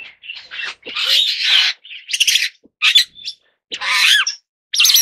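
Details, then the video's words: Superb starling, Lamprotornis superbus, giving a varied run of harsh squawks and chattering notes mixed with clear whistled slurs, broken by short pauses, with no other sounds. "栗頭麗椋鳥/Superb Starling"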